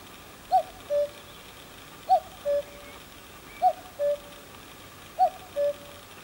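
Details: Cuckoo at Croft Castle, Herefordshire, a Red List species: four clean cu-coo phrases, each a short higher note followed by a longer lower hooting note, spaced about one and a half seconds apart over quiet background.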